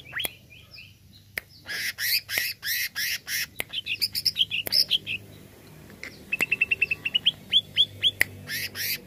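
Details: Greater green leafbird, played to arouse a kept bird: harsh chattering notes, a jumble of sweet warbled whistles, then an evenly spaced string of thin upswept notes.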